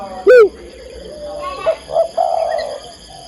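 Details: Female spotted dove calling to a male: one loud, arched, hoarse coo note near the start, followed by fainter, softer coos in the background.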